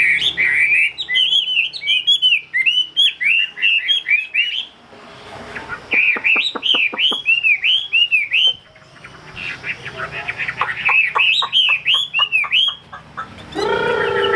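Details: Caged Chinese hwamei kept as a songbird, singing loud, varied whistled phrases of rapid repeated notes and slurred rising-falling slides, in bursts separated by brief pauses; a harsher, lower sound enters at the very end.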